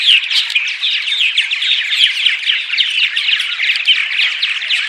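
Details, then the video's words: Morning vocalizations of purple martins, played to draw martins to nest sites: busy overlapping chirping and gurgling from a crowd of birds, steady and unbroken throughout. "Morning Vocalizations CD (6 hour loop) - Attract Purple Martins"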